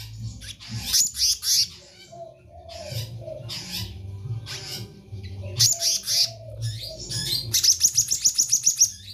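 Black-naped Monarch giving bursts of high, sharp notes, ending in a quick, evenly repeated series of about a dozen notes, over a low steady hum.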